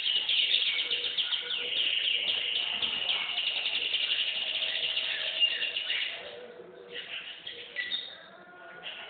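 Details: Canary song of dense, fast buzzy trills for about six seconds, followed by softer, scattered chirps and short whistled notes.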